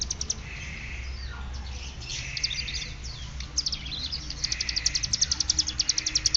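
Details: Mountain prinia (ciblek gunung) of Cililin practising its ngeriwik bren song: scattered high chirps and slurred notes building into a long, fast, even rattle of high ticking notes, with a background hum.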